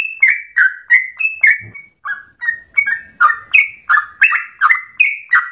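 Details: Yellow-vented bulbul in energetic, extended 'ropel' song that is said to echo a straw-headed bulbul: quick liquid whistles in a steady stream with a brief pause midway, the later notes climbing higher, and a soft thump heard once.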